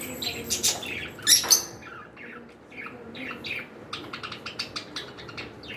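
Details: Pet cockatiels chattering indoors: a loud pair of harsh squawks early on, then a quick run of short, clipped high chirps, roughly four or five per second toward the end.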